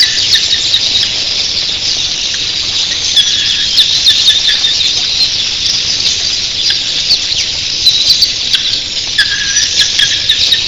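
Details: Thousands of red-billed queleas at dawn make a steady roar of shrill, overlapping chirps that hardly varies, broken now and then by short, clear whistled notes.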